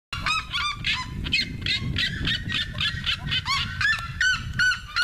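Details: Red-legged seriemas singing by a road in the São José neighbourhood of Conselheiro Lafaiete, Minas Gerais, Brazil, give loud, yelping, honk-like notes in a fast run of nearly three per second over low background rumble.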